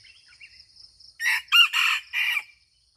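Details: Aceh red junglefowl crowing: a loud harsh rooster-like crow in four broken bursts over about a second and a half, preceded by faint chirps of small birds and a steady high insect whine.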